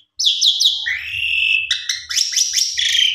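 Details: Jalak suren singing a varied gacor phrase: three quick descending whistles, a sustained buzzy tone, then a series of sharp slurred notes and a long high whistle.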